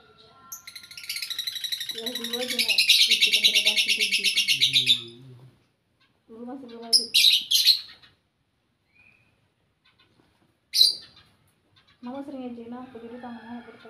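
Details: Lovebird giving a long 'ngekek' trill, a call said to make rival birds answer back: a dense, rapid, high-pitched rattling trill lasting about three seconds, followed by shorter squeaky bursts, with people talking in between.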